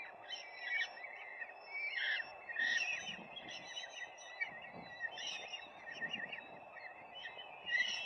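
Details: Nest of peregrine falcons on a live camera, 4 May 2025: a series of short, rasping calls at uneven intervals, some rising and falling, over constant low hiss.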